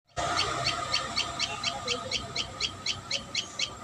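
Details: Common tailorbird at a live nest: a steady run of short, sharp chirps, roughly four per second, over a faint low hum.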